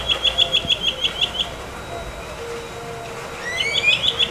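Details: Morning Tropical mockingbird in Corozal, Belize: a rapid series of about ten short, clipped notes, a brief pause, then rising slurred whistles leading into more sharp repeated notes, with faint steady background hum.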